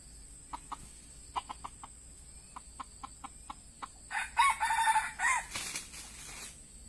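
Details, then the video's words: Decoy red junglefowl used to lure wild birds: a run of short, sharp clucks spaced irregularly, then a harsh, drawn-out crow near the end, with a steady high whine running underneath throughout. "AYAM PIKAT TEDUNG BERAKSI"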